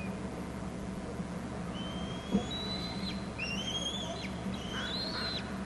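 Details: Young bald eagles in their Hornby Island nest when an adult lands with food: thin high whistles, long and slightly rising, layered and overlapping, with a faint knock partway through.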